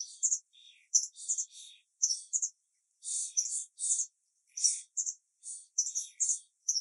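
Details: A white wagtail nestling calls to its parents in a "tsivi-tsivi" contact exchange: thin, high, sharp chirps in quick bursts of two to four, about every half second, with nothing else heard.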